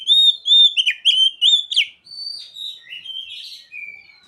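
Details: Mimicked ciblek and sogon phrases from a singing Oriental magpie-robin: a run of clear, slightly rising whistles repeated about three times a second, then softer drawn-out whistled notes trailing off.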